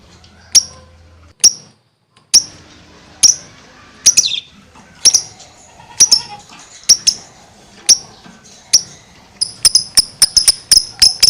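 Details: Lovebird singing 'gacor', a steady chattering delivery: sharp high chirps repeated roughly once a second, speeding up into a rapid run of clipped notes near the end.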